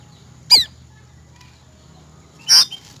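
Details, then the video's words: Cucak rante giving two loud, abrupt, shot-like notes two seconds apart, bright and slurred, over a faint steady low hum. "Suara asli burung cucak rante buat masteran dan pikat"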